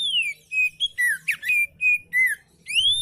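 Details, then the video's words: Relaxed song of an oriental magpie-robin, played to encourage lazy magpie-robins to sing: a rapid string of pure, varied whistled notes, some sliding down, some swooping up, with brief buzzy notes between, and a long rising whistle to close. "KICAU KACER SANTAI COCOK BUAT MASTERAN KACER MALAS BUNYI"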